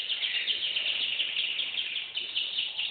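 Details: Canary giving a bright, even trill of quickly repeated high notes, briefly changing to a slightly different phrase partway through.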